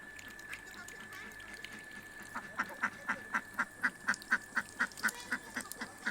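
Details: Domestic ducks returning home at day's end give a run of short, nasal quacks, about two per second, over a steady high-pitched hum in the background.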